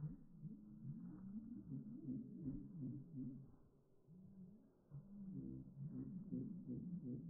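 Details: Calls of heritage turkeys from a homestead flock, slowed far down into deep, wavering moans that rise and fall and overlap, sounding much like whale song.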